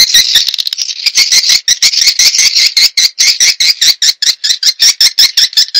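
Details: Lure recording of swiftlets, used to draw the birds in: a steady run of sharp, high chirps repeated about two to three times per second, forming a continuous buzzy twitter.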